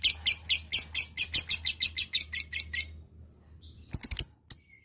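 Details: Lovebird used to coax other lovebirds into 'ngekek panjang' chattering: three seconds of quick, rasping high chips, a short pause, then a burst of several sharp squeaks.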